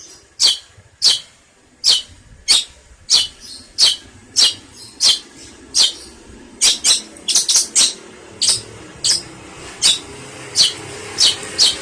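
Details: Long-tailed shrike (pentet) in a tutor recording for songbirds: a steady series of short, scratchy, harsh notes, roughly one every half second to a second, closer together near the end.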